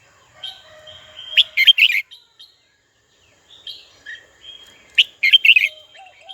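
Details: Red-whiskered bulbul calling a rival, two loud bursts of rapid sharp chirping notes about three seconds apart, each led by softer thin whistles, with silence between.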